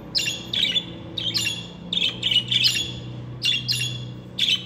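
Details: Pet budgerigars, said to include talking males and females, chattering in quick bursts of harsh, buzzy high chirps and squawks, about ten bursts in under five seconds, over a low steady hum.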